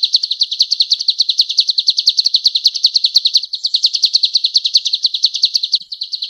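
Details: Male golden-bellied gerygone singing actively, a recording meant for training cage birds: a high, thin, rapid series of sharp chirping notes, about six per second, running unbroken for six seconds over a quiet background.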